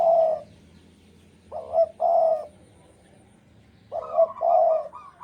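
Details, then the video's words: A spotted dove, described as a loud caller in breeding condition, gives low, mellow cooing phrases of two or three soft notes, with pauses of a second or more, over a faint low hum. "Derkuku Jawa Gacor Birahi Keras"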